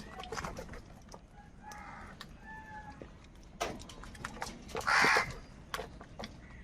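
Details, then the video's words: Huge numbers of crows crying while fighting for food: harsh, nasal caws with layered tones overlap in a noisy crowd, and one loud rasping cry bursts out near the end. "Kaka sound and noises of Crow birds | Huge numbers of Crows Crowing and Crying sounds"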